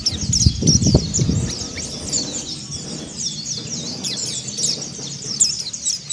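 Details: Mountain white-eye singing in the ngeriwik and ngalas styles: a dense, fast stream of high, thin chirps and twittering trills, with low thumping knocks during the first second and a half.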